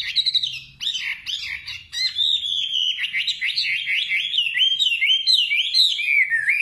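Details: A nightingale sings choppy separate notes at first, then a long chain of quick slurred whistles rising and dipping repeatedly, steady and loud throughout.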